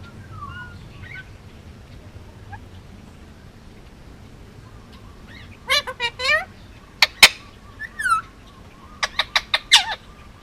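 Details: Hand-raised male Indian ringneck parakeet from Oahu, Hawaii, quiet at first with faint murmurs, then bursting into harsh ridged squawks and a quick series of sharp clicks.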